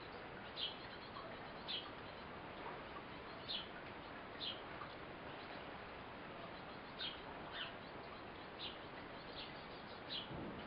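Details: Eurasian blue tit parent, the mother, feeding her baby; a run of about ten short high chirps scattered across the recording, some paired, with steady hiss underneath.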